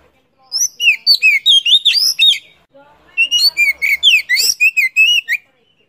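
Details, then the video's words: Oriental magpie-robin in Vietnam, 'chỏ mồi' song used for stimulating birds to sing: two bursts of fast, melodious whistled phrases separated by a brief pause, each a tumbling run of rising and falling notes. "Kích chim chích chòe than hót , tiếng chỏ mồi hay nhất Việt Nam"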